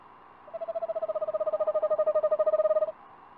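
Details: Eastern screech owl at a nest box, filmed on 29 March 2019 via livestream: a single monotone trill of quick, evenly spaced pulses holding one pitch for about two and a half seconds, then silence.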